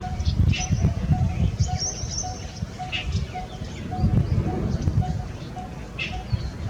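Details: Coppersmith barbet giving a steady series of low, hollow, evenly spaced tuk notes, roughly two per second, over heavy low rumbling noise with faint high chirps from other birds.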